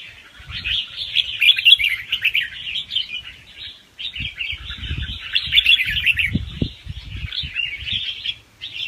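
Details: Young wild red-whiskered bulbul delivering a gentle, fast song with doubled notes, meant for playback to rouse other birds: long runs of jumbled chirping warble with a short pause near the middle, plus scattered low knocks and thumps.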